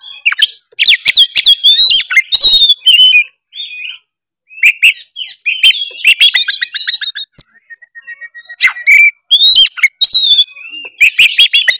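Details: Oriental magpie-robin in full 'gacor narung' song, used to set quiet birds singing: a rich, rapid medley of sharp whistles, trills and buzzy notes in bursts, with brief pauses between phrases.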